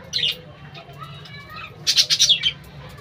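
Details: Budgerigars in a colony with birdhouses, giving two bursts of shrill, scratchy chirps, a short one at the start and a longer run of rapid squawky notes near the middle, over a low steady hum.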